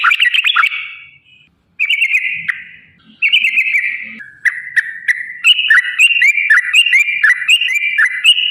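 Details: Sooty-headed bulbul song used as a lure for caged birds: separate bursts of warbled chattering whistles with pauses between, then a lively run of repeated bright two-part whistles with sharp clicks above.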